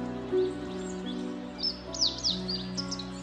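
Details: A male Meadow Bunting (Emberiza cioides) in early spring sings a quick phrase of high, thin notes that sweep sharply downward, over steady background music.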